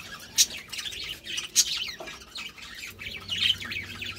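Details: A couple of budgerigars trade sharp, bright chirps and short rasping squeaks, loud accents standing out from softer twittering in between.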